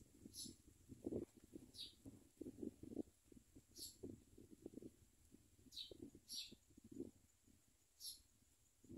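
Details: Common myna at the nest bringing food to its chicks: thin, high squeaky chirps at uneven intervals over low rustling and scraping sounds.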